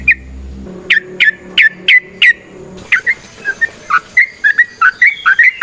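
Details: Yellow-vented bulbul (trucukan) in lively gacor song with the variations called nrotok and ngecuplik, used as a lure to get kept birds singing: about seven sharp, clipped downslurred notes spaced a third of a second apart, then faster varied chirpy whistled phrases, faint low hum early on.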